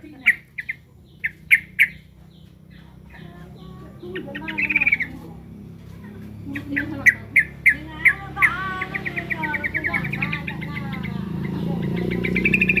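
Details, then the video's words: Yellow-vented bulbul (trucukan) calling while feeling threatened: bursts of sharp, chattering chirps, first spaced, then a quickening run of repeated notes with buzzy trills, over a low steady hum. "Suara burung trucukan lagi ter4ncam"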